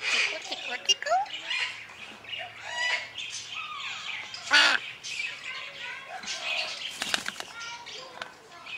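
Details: A pet male Red-sided Eclectus parrot, hatched February 2008 and not hand-raised, chatters in speech-like mumbles with rising whistled notes and short squawks while being tickled, with brief bursts of rustling or fluttering.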